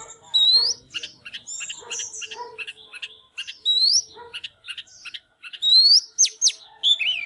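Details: Oriental magpie-robin, fired up and singing with display dancing: loud rising whistled slurs and short clear notes in quick varied phrases, broken by brief pauses, over a faint low steady hum.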